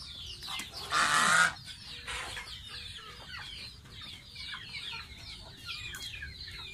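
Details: Baby domestic goose bathing; a heavy splash at one second is followed by a run of high, sliding peeps, repeated irregularly to the end.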